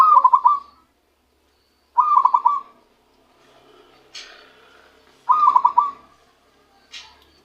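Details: Wild-caught zebra dove starting to voice its true song after capture, three short bursts of quick rolling coos spaced a few seconds apart, with faint higher chirps from other sounds between them.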